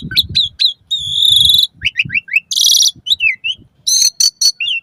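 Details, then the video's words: Asian pied starling song used to train caged birds to sing, morning and evening. A varied medley of high chirps, a sustained harmonic whistle, sharp rasping bursts and quick slurred notes, with soft low rumble between phrases. "Suara Kicau Jalak Suren"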